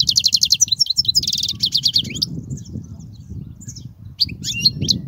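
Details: Song of a European goldfinch, played for young goldfinches to learn from: two bursts of fast buzzy, rattling trills open the passage, followed by scattered sharp high twittering notes over a low background hum.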